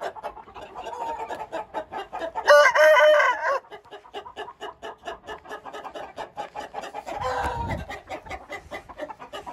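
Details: Hint rooster crowing: a loud, drawn-out, level crow lasting about a second, set within steady rapid clucking that repeats several times per second throughout, with a rougher, noisier burst later on.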